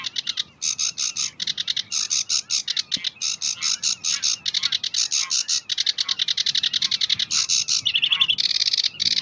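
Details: Sedge warbler, known locally as kerakbasi alis hitam, delivering a fast tembakan variation: dense runs of dry, rattling, clicking notes in rapid bursts, ending in buzzier, higher churring phrases.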